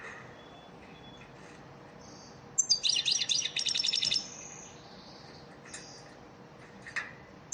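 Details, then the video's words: European goldfinch song used as a lesson (ders) for caged birds: after a quiet start, a lively one-and-a-half-second burst of fast, high twittering trills, then scattered thin single chirps. "elmacık saka ders ötüm dersi"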